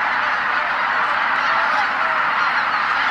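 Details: A huge flock of greater white-fronted geese returning to a marsh roost before sunset, arriving from all directions in the evening sky, fills the air with a steady roar of overlapping honking calls; no single bird stands out.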